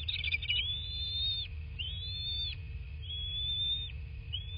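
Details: Bald eagle at a nest in a quiet southwest Florida landscape, recorded by nest camera at 23:19 on 13 March 2024: a short chittering burst, then three long, pure, slightly rising whistles about a second each, cut off sharply; faint low hum.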